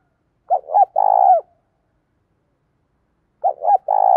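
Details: Morning call of a spotted dove in the 'thổ' voice mixed with 'thúc gù', sung to bring in wild doves. Two loud phrases about three seconds apart, each with clipped double coos then a long, buzzy, vibrating coo.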